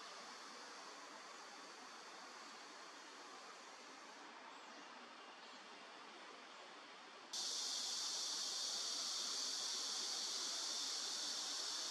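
Only a steady broadband hiss, which jumps louder and brighter after about seven seconds; no animal voice stands out.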